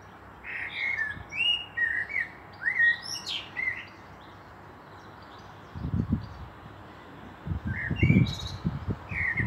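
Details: Common blackbird singing in Meschede, Germany, on 18 May 2021, with a pair of fieldfares nearby; fluted, warbling phrases followed by high twittering, coming in bursts with a pause mid-clip, over low rumbling background noise.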